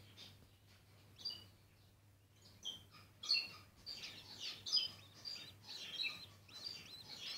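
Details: Bourke's parrot mother feeding a chick, caged setting: thin high chirps and short squeaky notes start sparse, then cluster into busy, irregular twittering over the last four seconds, with a steady low hum underneath.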